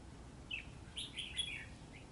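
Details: Red-whiskered bulbul fighting a trap bird in cold, rainy weather: a brief chirp, then a quick cluster of bright, bubbly notes over a constant hiss.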